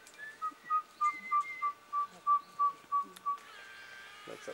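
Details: Eastern yellow robin at O'Reilly's Rainforest Retreat, Australia, 27 April 2001, late evening: a little piping call of about ten short, even whistled notes at one steady pitch, roughly three per second, then brief rustling noise.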